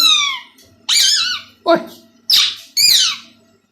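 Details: Tame 2-year-old male plum-headed parakeet talking in a quiet room, saying words in Urdu/Hindi such as "Mithu": five quick, high, nasal bursts of speech-like syllables, several sliding downward in pitch.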